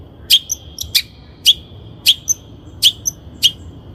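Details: Long-tailed shrike on a lure recording for training birds: about six loud, sharp high notes, each ending in a sustained thin whistle, spaced roughly half a second to a second apart.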